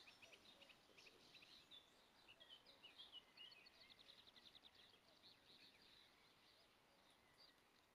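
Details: Marsh warbler singing after returning in spring, Kreis Plön, Schleswig-Holstein, Germany, 23 May 2020, with few imitations: a fast, varied chatter of high chirps, trills and scratchy notes, quiet and distant under steady background hiss.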